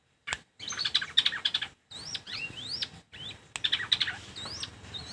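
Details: Shrike song: bursts of varied high chattering notes and sharp whistled upslurs, separated by short pauses.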